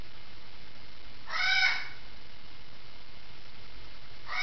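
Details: Indoor parrot calling from an adjoining room, a single raucous, buzzy squawk lasting about half a second, followed by silence and the onset of another squawk at the very end.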